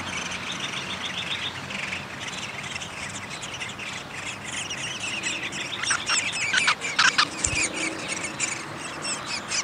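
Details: Feeding at a downy woodpecker nest, 20 May 2021: rapid series of harmonic chattering notes at the start, then louder clustered calls and sharp taps midway, set against constant broadband outdoor noise.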